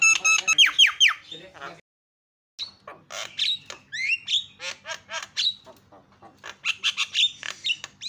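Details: Lure sound of a Javan myna used to provoke other mynas into calling: a quick burst of downslurred whistles, a brief silence, then varied chattering notes, clicks and short whistles with a faint low hum.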